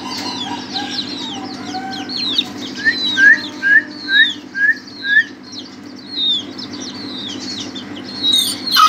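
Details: Six short, upslurred crowing notes from a young Ayam Ketawa (laughing chicken), evenly paced like a chuckle, amid busy high chirping and whistling from surrounding small birds and a faint hum.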